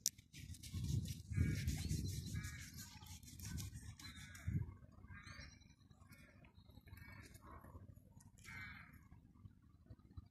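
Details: At Gildredge Park, Eastbourne, East Sussex, jackdaws give short, harsh 'chack' calls, one every second or so, with crow-like caws mixed in, over a steady low rumble of wind.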